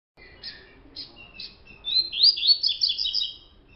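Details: Colour-mutation double-collared seedeater singing: spaced high chirped notes for nearly two seconds, then a loud, rapid, tumbling run of sharp warbled and slurred notes, ending with a thin falling whistle.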